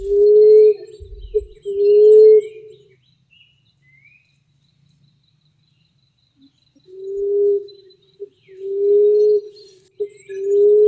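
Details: Common emerald dove giving a lure call of low, soft, drawn-out hoots, each with a short click-like note between, repeating about every two seconds after a pause; faint high chirps behind.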